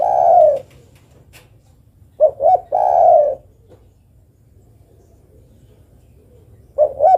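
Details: Female spotted dove calling a male: a long coo, then two short rising notes and another sustained coo, with a fresh pair of short notes at the end after a quiet spell. A low hum lies underneath.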